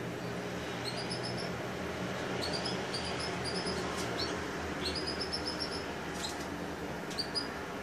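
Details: Yorkshire canary chicks 12 to 13 days old in the breeding season; series of thin, high, repeated cheeping notes in quick short runs, over a steady background hum and faint rustling.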